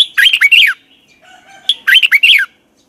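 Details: Training sound for birds from a red-whiskered bulbul's morning song, in the double twisted voice style: two brisk phrases of rolling, slurred whistles, with a faint note between them.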